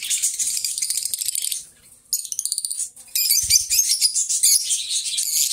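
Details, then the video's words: Two lovebird companions singing and talking together: dense, harsh, buzzy high-pitched chatter in rapid rattling pulses, a brief lull near two seconds, then renewed scratchy bursts with a short low thump partway through. "2 Hours of Lovebird Sounds Best Friends"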